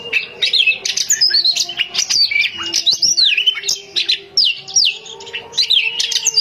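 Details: Female Oriental magpie-robin kept at home, calling males with continuous loud song: rapid whistled phrases that slur up and down, with sharp chips and trills, and a faint steady low hum underneath.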